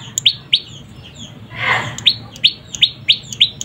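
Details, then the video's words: Juvenile prenjak lumut (moss prinia) calling: short sharp chirps descending from high pitch, repeated about every third of a second in two bursts, with a brief hiss of noise between. "Suara anakan burung prenjak lumut gacor mantab"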